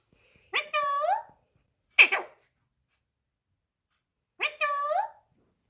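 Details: An indoor pet rose-ringed parakeet speaks, giving three short, voiced, human-like utterances: a two-syllable word, a brief sharp sound, then the same two-syllable word again after a pause, with silence between.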